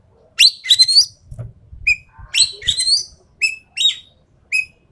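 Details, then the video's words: Sumatran treepie, an endemic bird, recorded as a masteran lure track: harsh rasping bursts sweeping upward alongside clear whistled notes, in three clusters of calls with short pauses between, and a faint low rumble beneath. "MASTERAN/PANCINGAN BURUNG EKEK KELING SUMATERA"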